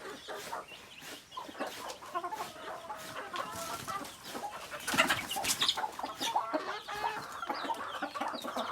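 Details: Native chickens, roosters and hens, in a noisy flock: dense irregular clucking and cackling that grows louder in the second half, with small birds chirping behind.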